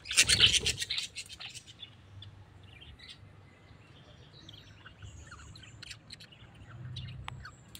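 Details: A tame pet parrot gives a loud burst of sharp, high chirps at the start, followed by scattered faint high tweets over a low background hum.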